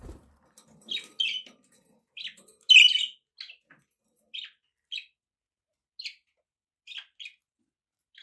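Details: A pet budgerigar gives short, separate chirps, clipped and slightly buzzy, roughly one every half second to second, with one louder squawky note near the middle and silence between.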